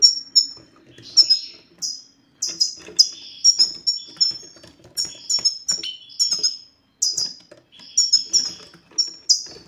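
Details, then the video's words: Male-prompting goldfinch satsata: a lively chatter of thin, high, slurred tweets and twittering notes in bursts separated by short pauses, with faint clicks and a low hum in the background. "ستستة الحسون سوف تجعل الحسون ينطق رغم عنه"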